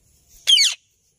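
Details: Alexandrine parakeet, natural voice: one short, loud, rasping screech that rises sharply and ends abruptly, with near silence before and after.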